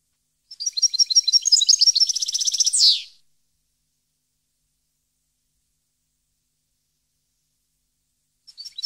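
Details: European goldfinch song recorded in 2015: a dense tinkling trill of high notes for over two seconds, capped by a harsh descending buzz, then a long silence and a faint restart.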